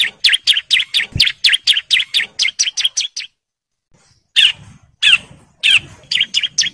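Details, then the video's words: Bar-winged prinia male in breeding condition calling to females, giving a steady run of sharp repeated chirps, a pause of about a second, then harsher notes and the chirping series resuming. "CIBLEK JANTAN BIRAHI GACOR NGEBREN MANGGIL BETINA KOLONI"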